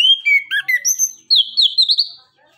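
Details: Orange-headed thrush (anis kembang) singing in the 'nembak, ngeriwik' gacor style, played as a lure to get reluctant birds singing: clear whistled notes slurring down, then a bright, rising and falling warbled run near the top of the range.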